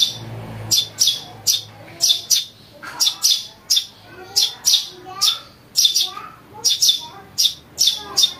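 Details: House sparrow chick calls used as a lure for catching birds: harsh, buzzy chirps given in quick pairs and clusters, roughly two to three per second, with faint low whistles underneath.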